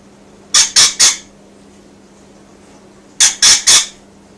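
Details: Pet rainbow lorikeet indoors, happy while calling out to birds outside: two bursts of three harsh, shrill squawks in quick succession, about two and a half seconds apart, over a steady low electrical hum.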